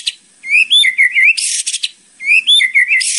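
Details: Murai batu or white-rumped shama training song: a high whistled phrase of slurred notes followed by a harsh hissing rattle, repeated twice.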